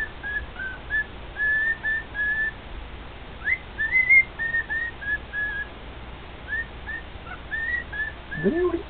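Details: A male cockatiel kept as a pet sings to two other cockatiels: strings of short whistled notes, one clearly rising phrase midway, soft gaps between bursts, and a brief human voice at the close.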